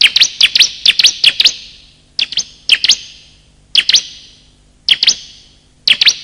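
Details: Bar-winged prinia lure calls of both sexes: paired high chirps delivered in quick doublets, first a fast series, then spaced pairs about every second, sharp and bright with echo.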